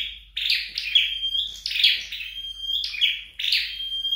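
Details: Home-trained flowerpecker delivering rapid high twittering phrases, each closing on a sustained thin whistle, about once a second, with no other sounds.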